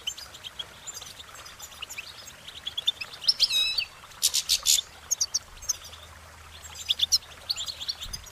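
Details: Goldfinches singing a lively, high twittering warble with rapid chirps and a run of harsh buzzy notes midway, then a further bright trill.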